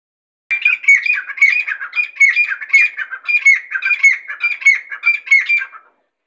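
A Grey francolin gives a harsh, squawking run of rapid grating notes, repeated steadily for about five seconds with no other sounds.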